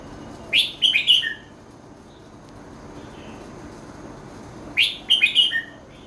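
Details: Red-whiskered bulbul singing the song pattern known locally as 'met kuay jee hok': two bright whistled phrases about four seconds apart, each opening with a rising note followed by a quick cluster of three or four clear, falling notes over a quiet background.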